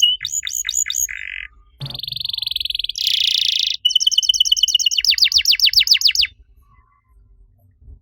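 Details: Canary master song for coaxing other canaries to sing: a few quick sweeping chirps, a low buzzy trill, rolling churrs, then a rapid series of descending whistled sweeps before silence.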